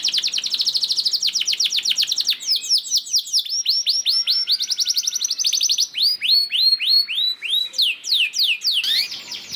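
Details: Canary lure song with a long ngerek roll, played to make other canaries start singing: fast high trills of repeated sweeping notes change tempo in turn, slowing into wider spaced down-slurred whistles near the end.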